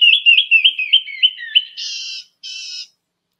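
A Canyon Wren sings a cascade of about seven clear, whistled notes that slide steadily downward, then finishes with two harsh, buzzy notes.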